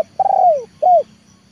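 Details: Spotted dove luring call from a trainer bird, a drawn-out hoarse coo sliding downward followed by a shorter arched coo, clear and loud against faint background hum.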